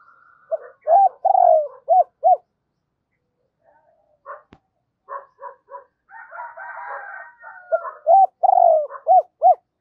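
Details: Spotted dove kept as a decoy, calling in a double voice to lure other doves: loud low arched cooing notes in quick series near the start and end, with softer burry, rattling sounds and a brief quiet gap between.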